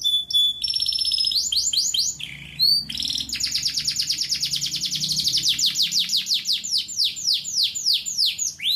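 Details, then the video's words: Male local domestic canary, song used for training young canaries to sing: high piping notes and brief tours, then long runs of rapid repeated downward-sweeping chirps, several per second, loud and clean with little background. "تغريدة ذكر كناري بلدي نار 🔥 بدون أخطاء لتحفيظ صغار الكناري على التغريد"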